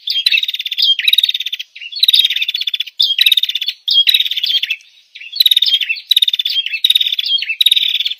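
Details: Olive-backed tailorbird (Orthotomus sepium) call, used as a lure for birds in the forest: loud, sharp, buzzy high-pitched phrases, each under a second long, repeated almost without pause.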